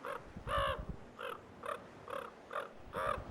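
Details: Common raven in Yellowstone's Lamar River Valley in early April, defending its territory against a stalking great horned owl with harassing moves and alarm calls; harsh hoarse caws repeated about every half second, seven in a row, over low rumbling background.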